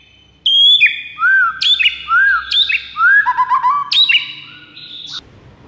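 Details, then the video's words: White-rumped shama master song used to lure rival shamas: loud varied whistled phrases, clear notes sliding between high and mid pitch with sharp upward flicks, several rich phrases in quick succession, ending in a sustained high note. "PIKAT MURAI BATU LAWAN DENGAN MASTERAN MURAI BATU SATU INI"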